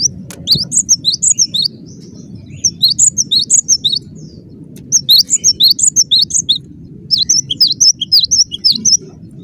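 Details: Cinereous tit in full, dense song: four phrases of fast, high-pitched whistled notes, each phrase about a second long with brief gaps, steady low hum beneath.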